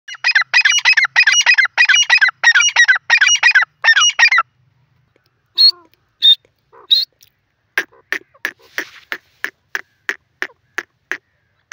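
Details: Grey francolin, known locally as teetar: a loud, rapid series of harsh, buzzy notes packed into bursts for about four and a half seconds, followed by a few scattered chirps and a run of sharp, evenly spaced clicks.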